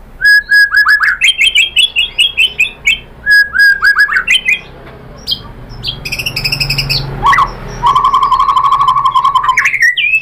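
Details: White-rumped shama lure song to draw a bird into singing: a fast string of rich chirped phrases, then a buzzy high rattle and a long even trill, with soft background hum.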